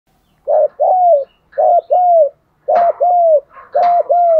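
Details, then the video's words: Spotted dove giving a rhythmic 'thúc gù' cooing series, used to train decoy birds and prompt other doves to coo; four low two-part phrases, each a short clipped note then a longer, slightly falling hollow coo, about one per second. "Giọng chim cu gáy thúc gù bài bản"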